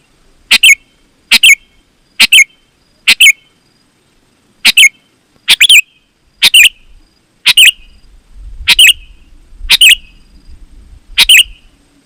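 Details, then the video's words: Sooty-headed bulbul in full song, used as a lure for wild and kept bulbuls; about eleven short bubbly two-note phrases delivered steadily over twelve seconds, with a soft low rumble joining in the second half. "Suara Burung KUTILANG GACOR, Ampuh Untuk Suara Panggilan Burung Kutilang AUTO Ikut Gacor"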